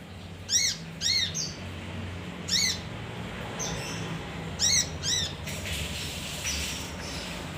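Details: Male leafbird (kinoi) sound used to lure other birds: sharp arched notes with strong overtones, given in pairs and spaced groups, over a low steady background hum.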